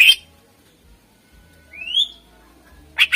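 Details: Greater green leafbird (cucak ijo) in vigorous 'gacor' song, used as a lure for contest birds: a harsh broadband burst, then a single clear rising whistle, then another pair of rough buzzy bursts.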